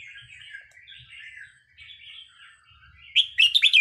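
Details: Red-whiskered bulbul song used for training caged birds, starting with a low, soft rambling warble that ends in a loud burst of quick, bright notes.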